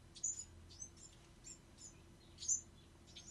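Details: Bewick's wren fledglings giving thin, very high chirps, with two louder sharp peeps about two seconds apart, and quiet background hum.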